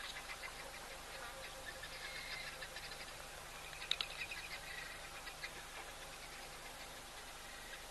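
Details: Guineafowl in Africa during the green season, on a breezy day, give a harsh, rattling alarm chatter of rapid repeated notes that keeps going throughout.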